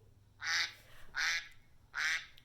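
A duck gives three harsh, nasal quacks, each about a quarter-second long and spaced roughly every three-quarters of a second, over a faint low hum.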